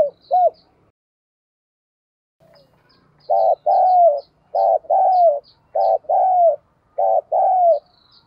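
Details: Spotted dove used as a decoy, thổ sấm style, cooing to set off wild and decoy doves: a rapid run of paired rich coos about once a second, with high thin chirps from another bird behind.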